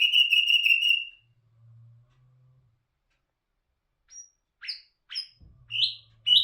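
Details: Nightingale, known locally as bulbul hazar dastan, singing: a quick run of rich repeated notes ending in a drawn-out whistle, a pause with a faint low hum, then scattered short sharp rising chirps.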